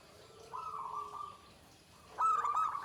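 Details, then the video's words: Pendowo Mijil zebra dove singing in the klare 'ke tek kuk' style: a long, smooth level coo, a pause, then a loud, broken, trilled phrase near the end, with low cooing beneath. "Suara Perkutut Pendowo Mijil klare ke tek kuk Melengking Nibakne"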